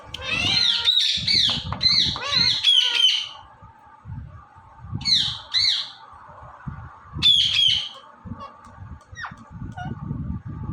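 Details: Indian ringneck parrot, a talking and dancing pet, squawks in a fast harsh series, pauses, then gives two more short bursts of scratchy high notes, over steady low rumble.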